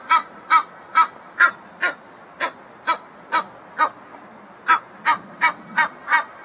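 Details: A pair of Egyptian geese in a backyard, possibly calling to each other after one returned, giving harsh, nasal honks in a steady series of about two per second, with a brief pause midway.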